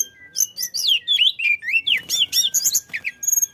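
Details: Lively flycatcher song, played to get other birds singing: a fast, unbroken string of high whistled swoops and sharp chirps, closely spaced and varied.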